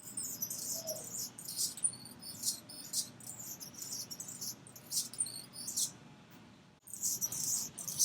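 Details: High-pitched scratchy chirping of an Anna's hummingbird, rapid buzzy bursts and thin squeaky notes in an irregular stream, a short quiet gap near the end, then louder chirps, faint low hum behind.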